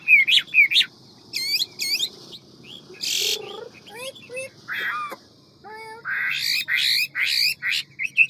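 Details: Hwamei with a fast, varied forest-style ngũ trường song: loud whistled and slurred notes broken by harsh bursts and short gaps, with bright rising phrases near the end.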